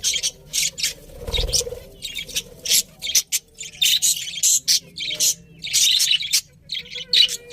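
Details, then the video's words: Pet budgies chirp continuously in rapid, buzzy, high notes and raspy chatter, with a brief low thump near the start. "Cute Birds Chirping Sounds #Beautiful Budgies"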